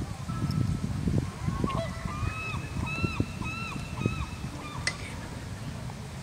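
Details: A hungry Canada goose gives a quick run of about eight short, arched, nasal honks, roughly two per second, over a steady low rumble of wind or handling noise.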